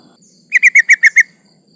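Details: A single run of six evenly spaced, clipped chirps from a female sooty-headed bulbul in breeding condition calling males, a call used to lure rival birds. Faint low rumble in the background.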